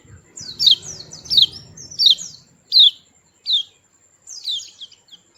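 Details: White-eye calling in short separate bursts of bright, sharply falling chirps, roughly one burst every second, over a quiet background.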